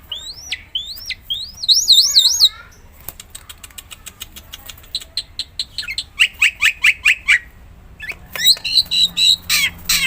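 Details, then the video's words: Lively Black-winged myna song used to trigger singing in other mynas: looping rising whistles and warbles, then rapid rhythmic chattering bursts and high squeaky phrases. "JALAK PUTIH GACOR | JANGAN KAGET KALO JALAKMU LANGSUNG GACOR SETELAH MENDENGAR SUARA JALAK PUTIH INI"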